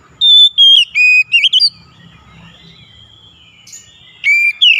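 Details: Magpie-robin in full 'gacor' song, played to stir a silent bird into singing: several sustained bright whistles and quick trills, then a pause and a fresh whistled phrase near the end.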